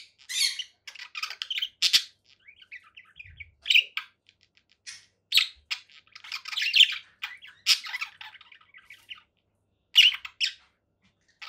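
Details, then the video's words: Sparse conure parakeet squawks: loud, harsh single calls and brief rattling runs scattered between quiet gaps. "conure parakeet sounds"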